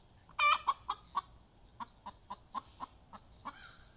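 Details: Domestic hen's egg song after laying an egg: a loud harsh squawk opens, then a steady series of short clucks roughly every quarter second, trailing off into a quieter final note.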